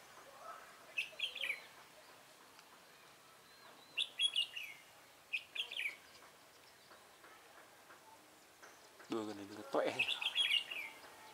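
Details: Red-whiskered bulbul recorded during trapping with a decoy bird on 24 March 2018. Short bubbly whistled phrases come at about 1, 4 and 5.5 seconds, then a louder warbled burst near the end after a brief rustling noise.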